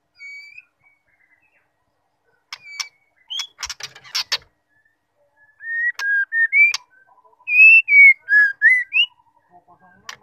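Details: Female White-rumped shama calling, a sound meant to provoke males into lively song before competition. A few sharp clicks come first, then a run of clear whistled slurs, rising and dipping, some ending in upward sweeps.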